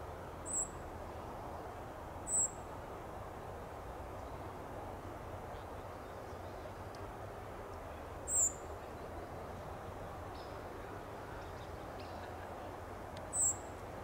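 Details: A California towhee in Del Monte Forest, California, gives four thin, high "tsip" contact calls at irregular intervals, several seconds apart, while balancing against wind, over a steady background rush of wind or distant traffic.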